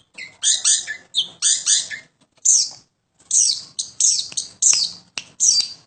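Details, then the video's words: A home-kept long-tailed shrike delivers loud grating notes in uneven groups, with a clear gap of about a second before another burst of sharp, high chatter. "burung pentet / toed gacor rumhan"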